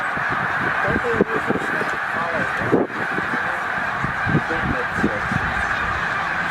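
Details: Vast migrating flock of snow geese, roughly 100,000 birds, resting at Middle Creek wildlife refuge on the way north to Arctic breeding grounds: a constant wall of honking, with a few nearer yelping calls standing out against the chorus.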